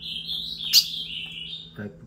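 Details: Female ultramarine grosbeak (azulão), one of two females fighting and singing at 6 pm, gives a sustained high whistled warble that dips and rises again, with a brief loud click midway and a low hum beneath.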